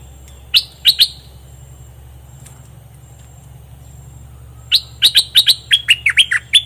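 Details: Bulbul kept in a cage, now in full plumage, delivering doubled song: two sharp chirps early, a quiet gap with low rumbling background, then a lively string of about eight bouncing, whistled notes.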